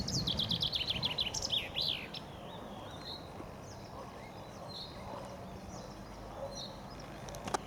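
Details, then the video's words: Common chaffinch in spring by the Ob River near Novosibirsk, Siberia, where several sang together. A brisk descending trill with a flourish opens, followed by scattered faint short notes over steady background noise. "Пение зяблика весной. Зяблик поёт весной."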